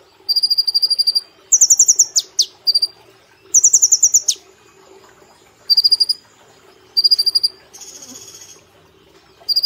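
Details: Caged brown-throated sunbird singing gacor nembak with platuk and cililin elements: high, evenly pulsed runs mixed with faster ringing trills and sharp downward-sweeping notes, then a softer buzzy passage before more pulsed notes.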